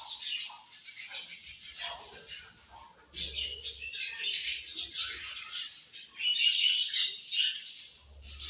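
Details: Several budgies chattering almost without pause, dense high twittering and scratchy warbled notes layered together, with faint low thuds in the background.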